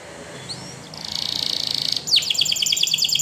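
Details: Spanish Timbrado canary training song: a faint whistle, then a loud steady buzzing trill followed by rapid repeated high descending notes.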